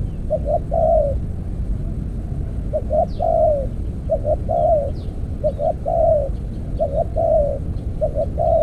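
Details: Spotted dove used in decoy trapping with an earthen cage trap. It gives repeated three-part coos: two short low notes, then a longer note that falls at the end. The phrase repeats about every 1.3 seconds over a low rumbling background.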